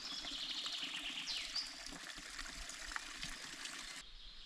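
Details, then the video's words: On a mountain hike around 3:20 in the afternoon, in pleasant temperatures, a Common chaffinch sings a bright run of repeated notes that tumble downward and end in a quick falling flourish, over a steady rush of water and wind. "sempre "Fringuello""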